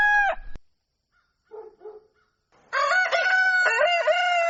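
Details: Rooster crowing at dawn: the tail of one crow opens, soft low clucks follow in a lull, then a loud, long, harmonic cock-a-doodle-doo with wavering notes runs to the end.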